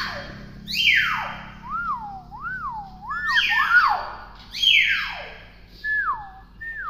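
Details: Tame hill myna known for copying many words alternates loud rasping downward screeches with clear looping whistles that rise and fall, repeated several times over about seven seconds.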